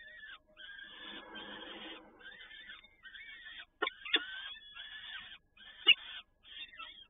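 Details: Peregrine falcon feeding, both parents taking part, Toruń, 7 May 2019, about 17:30. Continuous scratchy, wavering calls come in overlapping runs with brief pauses, and several sharp knocks are scattered through the second half.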